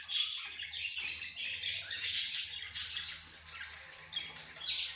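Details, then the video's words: A blend of pet bird voices from budgerigars, zebra finches, a rose bird and a canary. Scratchy high chatter with two louder sharp notes in the middle, then softer chirping trailing off. "حديث الطيور"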